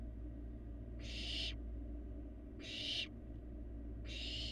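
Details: A young barn owl feeding in a Florida nest box gives three rasping, noisy hisses, each about half a second long and roughly one and a half seconds apart, over a constant low hum from the camera.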